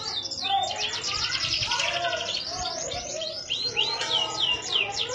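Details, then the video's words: A canary (Serinus canaria) in Indonesia sings a fast, high run of rolling trills and quick rising whistled sweeps with hardly a pause, over a few lower warbled notes. "CANARY SINGING"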